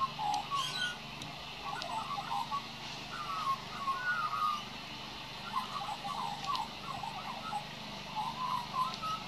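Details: Juvenile Australian magpie practising its song, giving quiet rambling warbles of mellow whistled and gurgled notes in loose bursts, with brief pauses between phrases, over a low steady hum and faint high background sounds.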